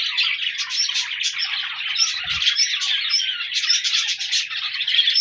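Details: Budgerigars recorded 14 January 2024 keep up continuous chirping chatter with scattered high whistled notes, broken only by one short low thump near the middle.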